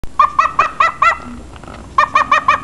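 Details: Barking bird giving short, harsh bark-like notes, a run of five, a brief pause, then four more in quick succession, each about a fifth of a second apart, with a person talking afterwards.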